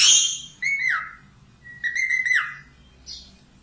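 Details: Budgerigar singing to tutor cockatiels: two level whistled notes, each ending in a downward slur, with harsh chatter at the start and a brief chirp near the end.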